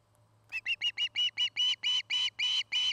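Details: Osprey at its nest in Charlo, Montana, filmed by a nest camera in the afternoon; a pair building a new nest and courting. A run of about eleven sharp whistled chirps, growing longer and louder, over a low steady hum.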